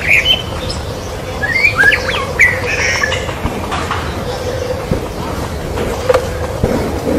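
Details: Kept Medan-type white-rumped shama singing a run of sharp, rising and falling whistled notes in the first two seconds, followed by sparse quieter notes over a constant low electrical hum and background noise.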